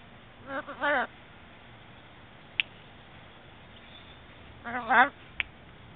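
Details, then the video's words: Shamrock macaw recorded on a mobile phone gives two short, wavering, nasal calls with rich harmonics about four seconds apart. Sharp clicks and a steady background hiss are also heard. "shamrock macaw"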